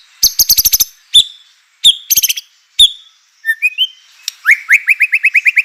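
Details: Singing white-rumped shama, a lure to stir rival shamas into song: bursts of rapid clicks and a few clear whistles, then a quick series of about ten rising whistled notes.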